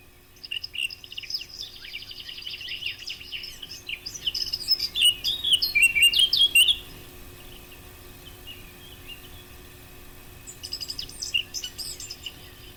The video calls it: صوت التيان للصيد ابو قلنسوة // Blakcap bird sound